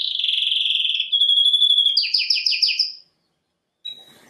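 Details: Canary song used for bird training: a fast high trill, a smooth steady whistled tone, then loud pulsed rising syllables, followed by silence and one faint note.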